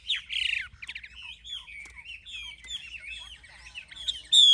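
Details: Chinese hwamei, an old wild-caught cage bird with a forest-style voice, opens with a loud falling whistled phrase, runs into quieter continuous warbling, and ends with a sudden loud, harsh, ringing note.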